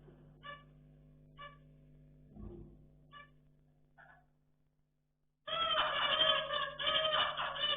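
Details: Captive pet zebra finches playing indoors: a few soft, nasal, evenly spaced beeping calls, then a brief pause and a sudden loud, dense chatter of overlapping buzzy, honking calls, with a steady low electrical hum.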